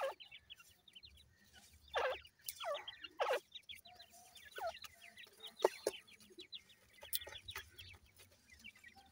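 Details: Grey francolin chicks at feed give quick, high, rising cheeps in loose runs. Sharp, loud taps or pecking clatters break in around two to three and six seconds.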